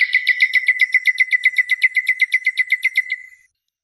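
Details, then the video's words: Nightingale from a song tape delivering a fast, even series of about twenty identical throaty notes that fade away at the end. "شريط تغريد عندليب"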